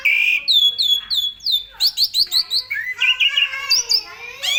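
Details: Asian pied starling in full, lively song used as a tutor for other songbirds: a loud burst at the start, then a quick series of about eight rising whistled notes, chattering harmonic phrases, and squeaky slurred notes near the end.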